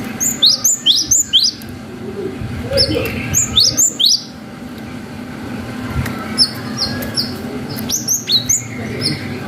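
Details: Cinereous tit singing the long 'wucit' style, used as a lure to stir young birds to answer: bursts of high, sharp, downslurred whistles repeated quickly, with pauses between phrases over a low steady hum and faint traffic-like rumble.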